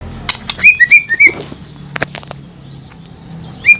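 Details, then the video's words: White-rumped shama song used as bait to provoke other shamas into answering: a few short, clear whistled notes near mid pitch, bunched in the first second and a half, with a light chirp at the end. "pancingan paling ampuh bakar emosi murai lain dijamin nyaut"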